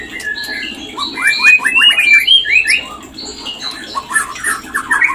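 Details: Mating call of a white-rumped shama for raising breeding readiness: a crisp series of rapid, slurred whistles and sharp descending notes, loud and clear over quiet background.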